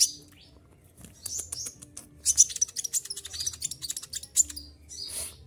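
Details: Olive-backed sunbird losing feathers in moult yet singing: dense stretch of rapid ticking notes and high chirps, building to a loud cluster, with a low hum in the background.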